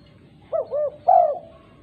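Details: Female spotted dove calling to other doves: one phrase of two soft, arched, low coos, then a longer, stronger, drawn-out coo, over a low background hum.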